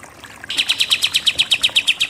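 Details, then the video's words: A burst of 'nembak'-style Pied triller song from a tutor recording for songbird contests: a quick, evenly spaced series of about fourteen bright, sharp notes after a brief quiet start. "KAPAS TEMBAK SUPER NEMBAK-NEMBAK"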